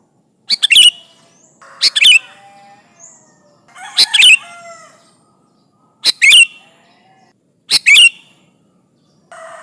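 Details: Sooty-headed bulbul singing vigorously, calling rivals, used as a lure: five short, loud, bubbly chattering phrases about every one and a half to two seconds, with faint tonal sounds between them.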